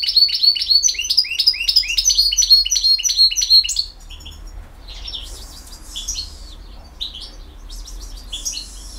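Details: European goldfinch from BiH singing campero-style song: a fast run of rapid, evenly repeated twittering notes for four seconds, then quieter scattered tinkling phrases.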